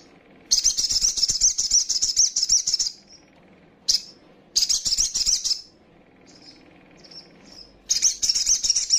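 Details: Female little spiderhunter (sogok ontong) calling, used as a lure to rouse rivals: very high, rapid chattering trills in long bursts, with pauses and a few short high notes between bursts.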